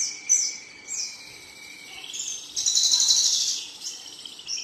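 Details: Male Javan bush lark producing short high chirps, then a long, loud, fizzing trill with a steady thin tone beneath. Background hiss is present throughout.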